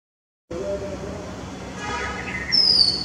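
A male Oriental magpie-robin gives one bright, high whistle that slides slightly downward near the end, after faint softer notes over a steady background hiss.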